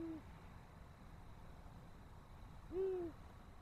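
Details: Long-eared owl on 18 March 2024, apparently interested in a nest: one clear, low, slightly arching hoot, with the tail of an earlier hoot at the start, over a steady background hum.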